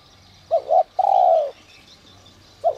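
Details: {'caption': 'Spotted dove, the Vietnamese cu gáy, in the whistle-voiced style called giọng còi, kept to stir other doves into cooing: soft low hooting coos, a short double note, then a longer drawn-out falling coo, then another note beginning.'}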